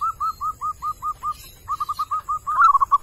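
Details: Wild male zebra dove calling, a string of short, rounded staccato coos repeated about five times a second, with a brief pause mid-way before the series resumes, speeding up into quicker notes at the end; faint high background hiss.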